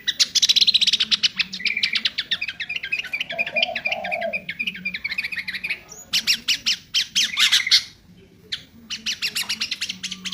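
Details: Sooty-headed bulbul singing an isian song, a filled song style, persistently: fast runs of sharp chirps and squawky notes with short whistled slurs, pausing briefly near the eighth second, then resuming; a low steady hum underneath.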